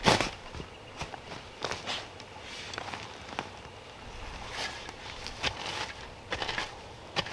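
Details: Footsteps and sharp crackling on a rural forest site, with scattered clicks and no animal voices.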